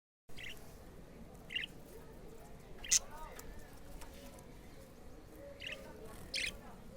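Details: Pet black-face budgerigar at playtime giving short, sharp chirps spaced irregularly, about five in seven seconds, one louder than the rest, over a steady low background hum.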